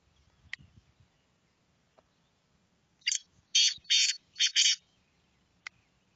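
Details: Black francolin giving a harsh, grating call of four to five loud rasping notes packed into about a second and a half, with a few sharp clicks before and after and quiet low rumble underneath.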